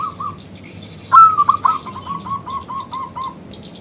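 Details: Local zebra dove, an actively singing bird whose call draws a male into answering: a loud bright whistled phrase of three accented notes, then a run of about eight soft, even cooing notes.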